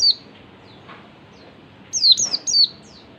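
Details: Ngalas song of an oriental white-eye, used as bait to get other white-eyes singing: one brief high note, a long quiet gap, then three sharp, descending whistles in quick succession.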